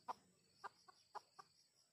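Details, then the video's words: Junglefowl calling while wild birds are being lured: five short, abrupt clucks at uneven intervals, with steady high-pitched insect drone behind. "Pikat Ayam Hutan Jelek"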